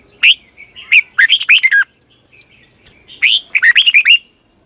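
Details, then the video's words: Red-whiskered bulbul delivering morning training song: a sharp opening note, then a rapid tumbling run of bright whistles, a pause, and a second similar phrase of five or six quick slurred notes. "Luyện chào mào hót sáng 2020 - Ép chào mào hót Giọng kép xoắn dài hay tuyệt, luyện chào mào hót"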